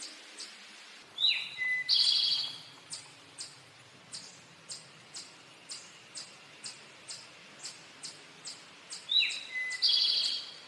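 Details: Two renditions of the male Eastern towhee's "drink your tea" song, each a pair of clear lead-in notes and a buzzy trill, about eight seconds apart. Rhythmic ticking clicks repeat between them.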